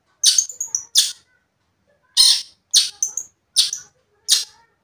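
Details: Long-tailed shrike in vigorous song meant to stir up rival shrikes: loud, scratchy broadband notes in pairs and threes, some ending in a brief thin whistle, separated by short silent gaps.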